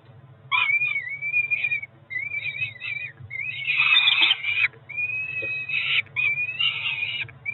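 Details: Peregrine falcon chicks around four weeks old, two at a Cromer nest on 2 June 2023, calling through feeding time with thin, wavering whistled notes mixed with occasional harsher rasping bursts.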